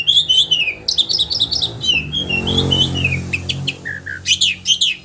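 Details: Sharp "roll tembakan" song of an oriental magpie-robin, used to push other birds into singing: clear downslurred whistles and choppy high chirps, partly overlaid by a soft low rumbling noise midway.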